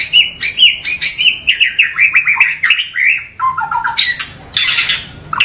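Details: White-rumped shama delivering a rich, varied song meant to rouse other shamas: quick series of clear whistled notes stepping up and down, followed by lower warbled phrases and a harsh rasping burst near the end.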